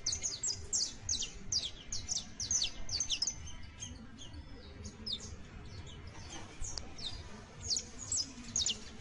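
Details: A saffron finch youngster rehearsing first songs and trills, dense strings of high chirps early on, then sparser, fainter notes, over a gentle low murmur.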